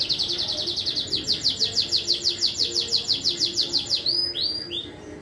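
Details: Contest domestic canary from Juiz de Fora, Minas Gerais, Brazil, singing a steady rapid trill of high repeated syllables that ends in a few slower rising whistles, with low background hum.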